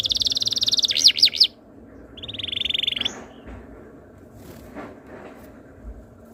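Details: Canary tutor song meant to prompt other canaries to sing: a fast buzzy trill with a few sharp swooping notes, then a steady rolled trill that fades into quiet room noise.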